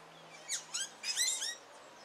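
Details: A male Carib grackle courting his mate sings a quick burst of squeaky, high chirps, some sliding down and some rising, over about a second, with a faint low hum beneath.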